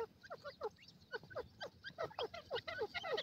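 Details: A forest pair of gadra teetar francolins gives sparse falling notes that build into a denser, louder chatter toward the end.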